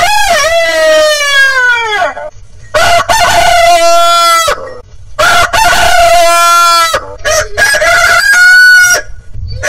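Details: Roosters crowing loudly, a long crow with a bright rising onset that sags into a held note, followed by more drawn-out crows in quick succession, with clucks between.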